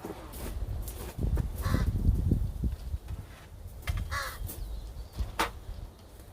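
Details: Two imprinted, non-releasable American crows (educational ambassadors at a permitted wildlife rehab center) during a training session outdoors on November 9, 2020, giving a few harsh, hoarse caws spaced irregularly, over a steady low rumble of background noise.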